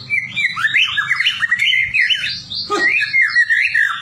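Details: White-rumped shama kept as a prompting bird, played so other shamas copy it and grow talkative for fighting contests; loud, rich whistled song of rapid looping, rising and falling phrases with quick trills, over a faint low hum.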